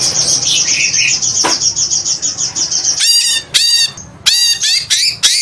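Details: Greater green leafbird, called cucak ijo, giving a long squawking song: a quiet, noisy opening, then from the third second loud, sharp, rich notes that sweep down and up, in rapid bursts with short gaps.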